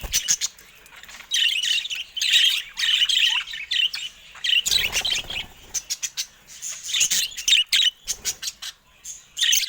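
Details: Budgerigars kept in a cage crowd a camera, giving busy warbling chatter and chirps in bursts, mixed with rapid pecking clicks.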